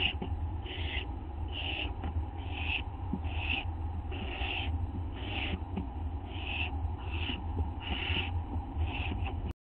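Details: Owl in a corner eating a treat, 11:07 PM on 19 August 2011, with a second owl outside; around twelve short, hoarse, high bursts repeated about every 0.8 seconds, faint clicks, steady low hum, ending abruptly.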